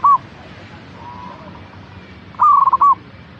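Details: Local zebra dove song played to encourage a caged bird to sing; tail of one phrase, a quieter distant coo, then a full rapid burst of clipped cooing notes ending with a detached final note.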